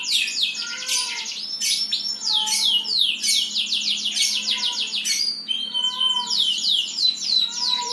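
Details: A bird sings continuously with rapid, bright, downward-slurred whistles packed in quick bursts. Brief sustained high tones and softer, lower curved notes are mixed in, over a faint steady hum.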